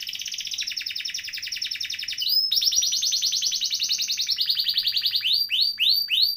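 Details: Canary in nonstop 'ngeroll' rolling song for prompting silent canaries: unbroken high trills shift in pitch and speed, closing with several swooping, rising-and-falling notes.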